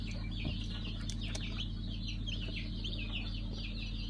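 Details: Newly hatched pheasant chicks of five colour varieties, recorded on 3 August 2019, giving continuous high, rapid peeping chirps that overlap densely, over a steady low mechanical hum.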